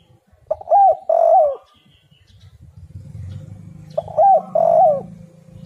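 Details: Spotted dove coo for luring other doves: two phrases of a short arched note and a longer coo dropping at the end, with a low rumbling hum rising between them.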